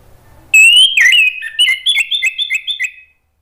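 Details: Orange-headed thrush singing a therapy lure phrase for silent caged thrushes: a long rich whistle gives way to a rapid, rhythmic series of about eight short whistled notes alternating between two pitches, slowing toward the end.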